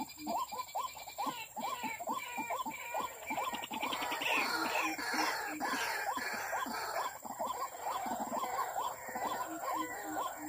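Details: White-breasted waterhen lure recording. Fast, steady repeated upslurred notes with lower short notes between them, played over strong hiss and broadband noise.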